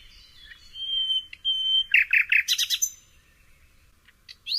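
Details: Common nightingale singing: two long, pure, level whistles, then a fast burst of loud, clipped notes and a rattling series, ending in a brief rising flourish.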